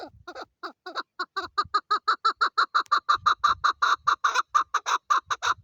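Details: Female chukar calling in a steady, accelerating series of clucking chuck notes, about three per second, evenly spaced and growing louder, each a short hoarse syllable with a slightly rising start.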